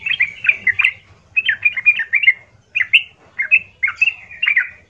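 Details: Harsh provoking song of a yellow-vented bulbul, intended to make other bulbuls respond: clustered bubbling chirps in bursts separated by brief pauses, bright and loud, with faint low hum behind.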